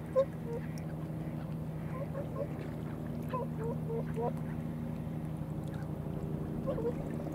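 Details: Whooper swans on a marsh in late February, around 2 pm, take turns calling, trading short, honking bugle notes scattered across several seconds over a steady low engine drone.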